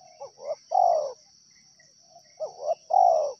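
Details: Wild tekukur, the spotted dove, gives its cooing phrase twice: two quick hoarse notes and a drawn-out descending coo, with a faint softer coo between and a constant insect drone behind.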